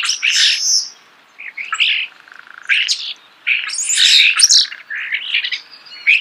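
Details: Close natural recording of a starling's song, a dense medley of harsh rasping notes, squeaks and slurred whistles in quick bursts with brief gaps.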